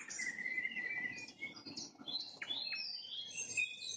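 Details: Nightingale at sunset holding a long, level whistled note, followed by sharp up-and-down flicks and high twittering phrases over a soft background hiss.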